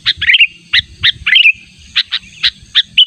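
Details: Natural Sooty-headed bulbul call used for luring, the bird insistently summoning a rival: two short chattering, slurred phrases followed by spaced bright chirps, against a faint low rumble.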